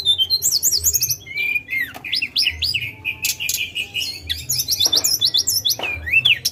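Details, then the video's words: Tledekan gunung singing a rich, fast song of high, sweet whistles, slurred notes and quick trills, with phrases rising and falling and brief pauses between bursts. "Pendongkrak Emosi Burung Tledekan !"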